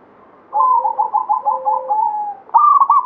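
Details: Banyumili-type local zebra dove: a two-second trilled, stuttering coo sliding into a steady held note, then a loud abrupt phrase starting at the end.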